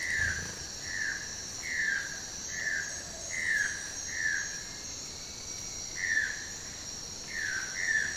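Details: Manakin from Brazil giving short downslurred whistled notes, about two per second in loose runs with brief gaps, over a steady high insect drone.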